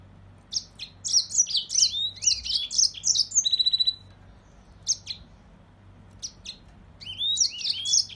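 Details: Song of a Mozambique serin: fast, high jumbled twittering with sweet slurred notes and a short buzzy rattle, then scattered chirps before another rich warbled burst closes; faint low hum throughout.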